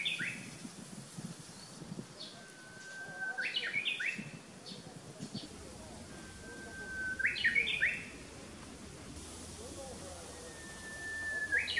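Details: Japanese bush warbler singing a funny, faulty version of its song: a sustained flat whistle breaking into a cluster of rapid slurred notes, heard three times, with a few other chirps and faint outdoor noise.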